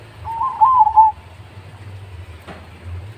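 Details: Zebra dove of the Mojopahit type with a big voice, used as a lure to make other doves sing: one short, wavering mid-pitched coo lasting under a second, followed by quiet low background hum.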